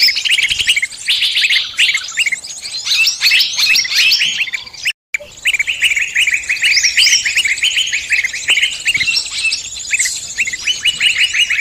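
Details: Trapping lure of mixed birdsong: busy high twittering and upslurred chirps from many birds, broken by a brief silent gap near the middle before the same chorus resumes.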